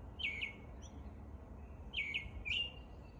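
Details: Morning song of an American robin in spring, two pairs of brief slurred whistles separated by a pause of over a second, against a quiet hum.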